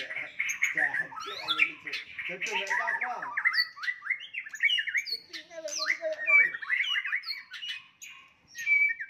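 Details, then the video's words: White-rumped shama in a fighting song meant to provoke rivals, a rapid jumble of harsh squawks, chirps and whistled phrases with brief gaps, a person speaking faintly at the start. "OTOMATIS NGAMUK murai batu tarung ampuh untuk menaikan emosi"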